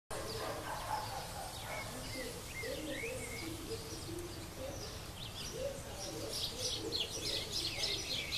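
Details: Shiny cowbird trying to parasitise a green-backed becard nest at Paudalho, Pernambuco: short rising whistled notes stand out over a dense, continuous chatter of other birds and low rumbling background noise.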